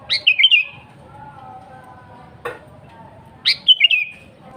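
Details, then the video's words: Energetic song of a sooty-headed bulbul, used to call in wild birds: two bright phrases of a rising note plus bubbling whistles, about three and a half seconds apart, with a single sharp click between them. "Suara Burung KUTILANG GACOR AsliTanpa ISIAN"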